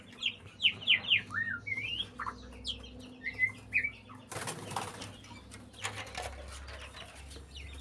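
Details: White-rumped shama in breeding condition: bright, rapid whistled and chirped notes for four seconds, then a loud burst of wing flapping and rustling with scattered faint notes over a low hum.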